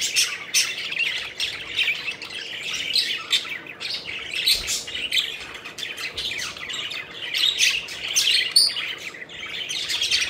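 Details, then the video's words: Pet budgerigars at play and in flight, chattering in bursts of rapid, scratchy chirps and clicks, with a brief high whistled note near the end among the flock noise. "Budgies Having Fun: Playful Birds Flying and Chirping Joyfully"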